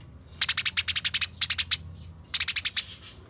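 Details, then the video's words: Eurasian tree sparrow in fighting mode, recorded as a training master: three bursts of rapid, harsh, evenly spaced chirps, about six to eight per burst, separated by short pauses over a faint steady high tone. "Masteran Burung Gereja Tarung Ngerol Abis, Nyerecet Speed Rapat dan Jernih"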